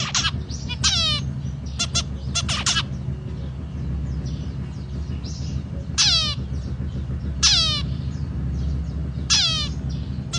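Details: Zebra finch calling: short, nasal, buzzy notes given singly or in clusters every second or two, over a steady low mechanical hum.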